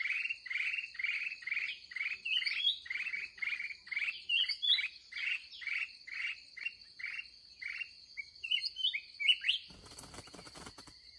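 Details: Late-day trapping session with a fierce wild red-whiskered bulbul: a long series of evenly spaced, chattering chirps and occasional sharp whistles over a continuous insect drone, ending in a burst of rustling handling noise.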